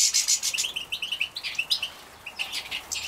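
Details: Captive-bred young European goldfinches in Poland, 2017, being fed: rapid, high, thin chirps repeated several times a second, some in quick tonal runs, with short bursts of hissy chatter.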